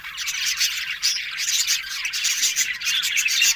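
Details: A group of budgerigars, recorded October 1, with constant busy chatter: raspy warbling and rapid chirps overlap with no breaks.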